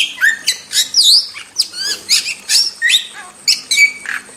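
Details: Wild starling's masteran song, with bright upward-sweeping whistles, scratchy chips and short buzzes, varied and irregular, delivered in rapid, separate bursts.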